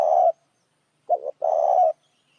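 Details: Spotted dove lure call for other doves: a coo trails off, then after a pause comes a short double note and a long, even, throaty coo of about half a second.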